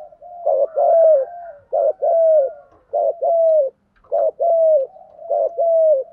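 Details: Spotted dove giving thúc gù cooing, called well-structured and sweet-voiced: low coo phrases repeat about once a second, each a short dipping note followed by a drawn-out coo that slides downward, steady and clear.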